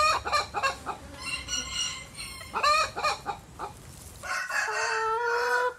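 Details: Domestic chickens: quick clucks and raspy squawks, then a long, even, drawn-out harmonic note held for over a second.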